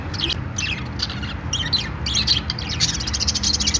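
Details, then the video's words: Budgies making what is described as a happy sound: busy, high chattering chirps and short squawks, some overlapping, over a constant low background hum. "Australian parrot sounds"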